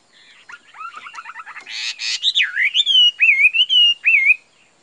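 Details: Caged Chinese hwamei, a bird with a bright face pattern and glossy plumage, singing rapid rattling trills that break into loud, looping whistled phrases, rising and falling and repeated in quick succession.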